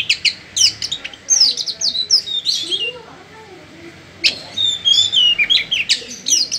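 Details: Oriental magpie-robin song in bursts: fast high whistles and chattering phrases, a softer lower-pitched stretch in the middle, then bright sweeping whistles return.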